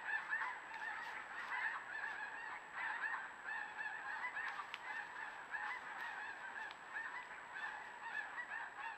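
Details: Many geese honking together near a river, trail camera recording: harsh nasal honks pile up in an unbroken chorus, loudest at the start, over a faint continuous high-pitched tone.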